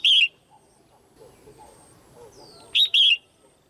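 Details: Female red-whiskered bulbul calling to attract or pair with males: a sharp slurred note opens, then after a pause a loud two-part phrase, short chip and wavering whistle; a faint thin whistle from another bird in between.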